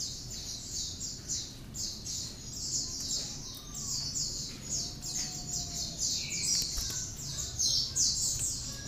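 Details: Hand-reared pet great tit singing actively, its repertoire stuffed with prinia imitations and used as a model for training other birds. Fast, slightly irregular series of high thin notes, about two and a half per second, over a noisy background.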